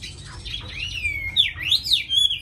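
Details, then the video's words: Caged tame Chinese hwamei giving long, pure whistled notes that slide down, then swoop up and down in loud looping phrases. "Mi thuần cb98123 giọng rất hay mau mỏ"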